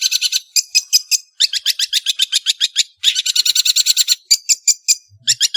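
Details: Long-tailed shrike singing loudly: rapid chattering runs of harsh, rasping notes in long bursts, broken by brief gaps, with a rich, noisy texture throughout.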